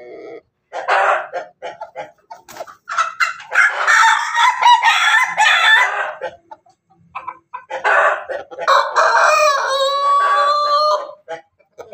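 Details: A chicken crossed from Ayam Ketawa, Bangkok and Pelung, in Banguntapan, Yogyakarta, gives two long, ragged crowing bouts, harsh and stuttering at first, then a drawn-out, quavering crow ending in a laugh-like trill.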